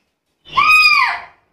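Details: Black-capped lory calling with a longer, lower arched note that rises and then droops, harsh and overtone-rich, nearly a second long with nothing else audible.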